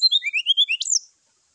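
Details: Brown-chested jungle flycatcher fighting call at dawn, used to provoke rivals: seven quick, evenly spaced warbled whistles rising slightly, ending in one high upward-sweeping note within about one second.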